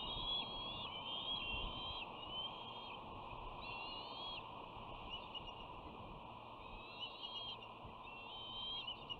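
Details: Bald eagle at a West End nest on 13 June 2019, filmed by a nest camera as a young female returns and is rudely greeted by her dominant sister. Thin, high, whistled notes come in drawn-out rising and level bursts over a steady background hiss.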